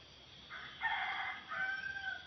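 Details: Red junglefowl crow in answer to a decoy rooster at a swamp-edge scrub arena: a rough, loud opening phrase followed by a drawn-out, slightly falling whistled tail, with a constant insect drone behind.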